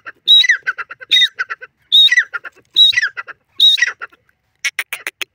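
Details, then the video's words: A francolin (teetar) calls in a loud, harsh phrase: a high shrill note dropping into grating notes, then clipped clicks. The phrase repeats five times at under a second apart. "teetar awaz,teetar ke boli,francolin ke awaaz"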